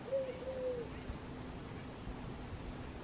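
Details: Mourning Dove cooing on an electrical wire, giving two soft, low, hollow coo notes in the first second, then steady background hiss.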